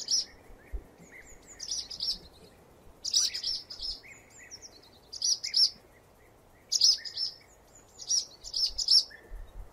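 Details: Swallow singing, recorded in 8D audio: rapid high chattering twitter phrases repeated every one to two seconds, with a few thin whistled notes between them and constant background hiss.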